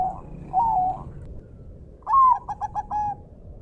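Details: Zebra dove, a Bangkok-type bird kept as a song-training model for caged birds: a soft mid-pitched coo, then a stuttering series of short rolling coos, over low background rumble.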